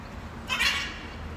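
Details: A blue-and-yellow macaw in the wild gives one harsh, raspy scream, lasting under half a second, against a quiet background.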